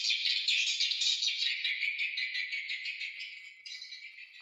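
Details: Swiftlet calls played to lure the birds to roost and nest in a new nesting building: a dense, continuous twittering chatter of many overlapping buzzy chirps, steady for four seconds before fading slightly toward the end.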